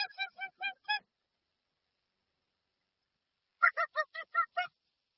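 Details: Two bursts of honking from a dusky-legged guan. Each has about five or six brassy, evenly paced notes, and a silent gap of over two seconds separates them. No added effects.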